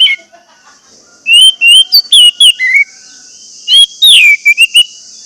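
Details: Lure song of an orange-headed thrush for quiet caged birds: a series of bright whistles, rising then falling, followed by a second phrase with a sharp downslurred note, over a steady high hiss.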